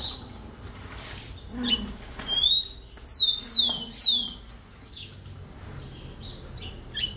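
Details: Rufous-collared sparrow singing: a short high whistle, then a run of three or four loud downslurred whistles, each sweeping from high to lower pitch in quick succession, followed by softer faint notes and a quiet background.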